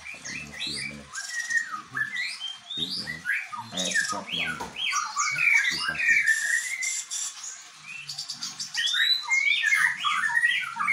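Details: White-rumped shama singing in a style that mimics the bar-winged prinia. Fast, varied run of whistled, chirping and rising-falling notes, mostly high, with short trills. Indonesian speech is heard near the start, with faint low sounds in between.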